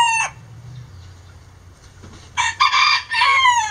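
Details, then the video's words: Pet Lavender Self Blue Game Bantam rooster, which hops on its owner's shoulder to crow on coop visits: a brief sharp note, a quiet gap, then a loud harsh crow in broken bursts that slides downward near the end. "Pet Rooster Crowing"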